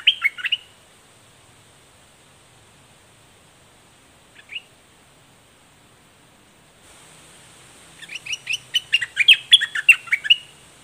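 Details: Straw-headed bulbul in a heated face-off with a wild bird. A short gurgling burst opens, followed by a lone brief note, a long quiet gap, then a fuller rollicking warble of rapid slurred notes lasting about three seconds.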